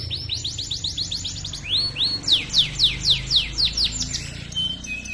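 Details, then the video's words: Chirping canary song from a master recording meant to prompt other canaries to sing: a quick high trill, a few upslurred notes, then a loud series of descending whistles about four per second, ending in a thin whistle. "Masteran Suara Burung Kenari Gacor Panjang cuit cuit Ngerol untuk Pancingan Kenari!"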